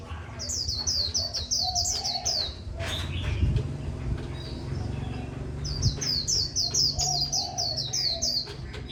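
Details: Japanese white-eye song: two rapid strings of very high, sweet downslurred notes, each several seconds long, with a quieter gap between and constant low machine-like background noise.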